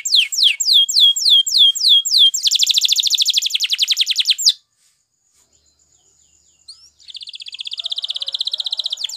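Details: Spanish Timbrado canary song for training, with a series of downward-sliding whistled notes leading into a long rapid metallic trill, a short pause, then another fast trill.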